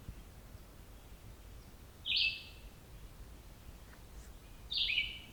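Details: A single Red-eyed Vireo on a morning hike at the Otter Lake Side Trail, Cape Chin North, Bruce Peninsula, sings two short, high, slurred phrases about two and a half seconds apart, over a faint steady hiss.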